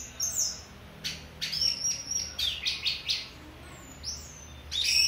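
An orange-headed thrush sings a rapid, high run of sweet whistles and scratchy, twittering notes in quick bursts, pausing briefly before a final rising phrase.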